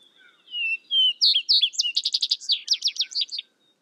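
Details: Single Vesper sparrow song opening with two slow, slurred whistles before breaking into rapid, repeated high trilled notes and a descending jumble, with no other sounds.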